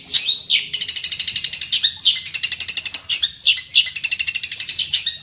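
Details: Long-tailed shrike (centet) kept for fighting, in full masteran song looking for an opponent: long, rapid, high rattling trills broken by brief sweeping whistles.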